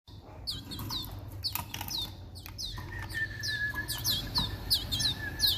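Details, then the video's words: Timbrado canary being hand-fed supplementary powder food gives a quick run of sharp rising chirps, about three per second, with clicks and rustling among the notes. "Timbrado canary"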